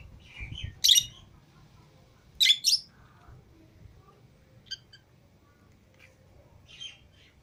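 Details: Pet lovebirds, green Fischer's and lutino pairs, out of the cage with other lovebirds, giving a few isolated shrill squawks and sharp chirps with long quiet gaps and faint softer notes between.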